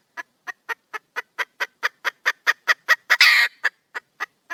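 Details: Wild hen, a female junglefowl, calling for a mate: quick clucks about four per second that swell in loudness, then one long harsh rasping squawk, followed by a few softer clucks.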